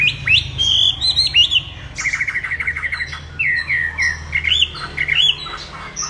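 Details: Chinese hwamei giving a varied warbling song: high fluting whistles, then a rapid stuttering series of lower notes and more slurred phrases.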